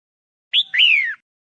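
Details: A female red-whiskered bulbul, recorded to stimulate male bulbuls, gives a brief, clear whistled phrase: a short rising note, then a longer slurred note falling away. No other sounds.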